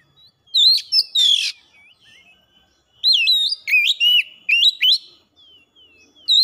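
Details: Kacer, or oriental magpie-robin, singing hard with its learned repertoire, used to stir other birds to sing; two bursts of loud twisting whistles and rasping notes separated by a quiet gap of soft, sliding whistles.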